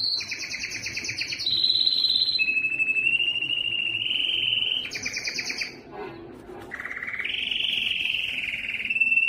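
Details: Song of a yellow canary, built from sustained rolling trills that step between pitch levels, pairs of stacked high and mid tours, a short pause, then a rising steady trill; faint low hum in the background.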